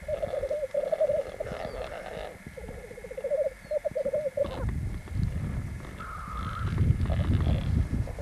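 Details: Black grouse x capercaillie hybrids (rackelhahn) fighting on a black grouse lek, 1 May 1994, Landvik, Grimstad, Norway, give hoarse, bubbling trills in rapid bursts of about a second each, with low rumbling noise and a brief higher hoot.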